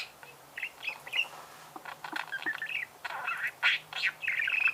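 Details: Budgerigar chattering in irregular bursts of scratchy, buzzy twitters and short high chirps, fairly busy throughout, with a faint low hum behind.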